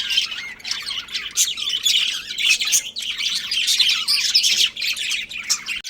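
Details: Breeding pair of pet budgerigars giving dense, overlapping chirps and scratchy warbles, high-pitched and continuous with rapid notes and short squawky bursts throughout, no pauses.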